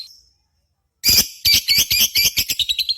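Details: Lovebird from a contest simulation used to stimulate singing: after a faint note and a short silence, a loud burst of harsh, shrill chattering pulses begins, repeated rapidly and somewhat unevenly.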